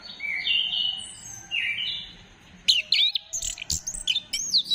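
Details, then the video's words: Orange-headed thrush song used as a lure to stimulate other birds to sing, dated 15 December 2025: drawn-out whistled phrases, then a quick burst of varied high, sharp, slurred notes over a faint low hum. "Gacorkan Burung Anis Kembang Dengan Pancingan Suara Ini"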